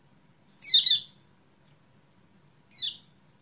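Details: Kecial kuning lure for a caged bird that has stopped singing; one loud, high, downward-sweeping double chirp, then after about two seconds a shorter, softer chirp.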